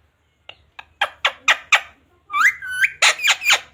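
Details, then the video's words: Talking pet parrot said to repeat "mummy papa" and "radhe radhe"; a few soft clicks build into sharp rhythmic chatter, then a drawn-out whistled rising note and a final quick burst of syllables. "Parrot talking mummy papa | Parrot talking radhe radhe | राधे राधे बोलने वाला तोता"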